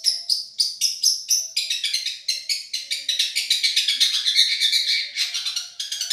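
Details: Madura long-tailed shrike singing in a tutoring recording described as a champion voice: rapid high chips, then a fast continuous rattling, warbling run of even pulses before short separated notes return.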